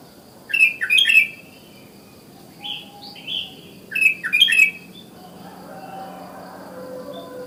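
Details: Wild sooty-headed bulbul in the morning, calling other bulbuls: bubbly, slurred whistled phrases in short bursts near 0.6, 2.8 and 4.3 seconds, with softer notes between and steady low background hum.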